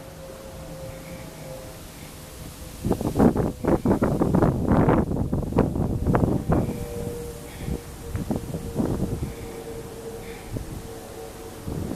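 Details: Rustling and wind-like bursts of noise over a steady low hum, with no animal calls.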